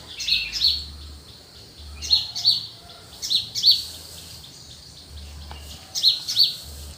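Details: Early morning countryside birdsong in cool air, made of loud high chirps grouped in twos and threes, repeated about every one and a half seconds, over a quiet low murmur.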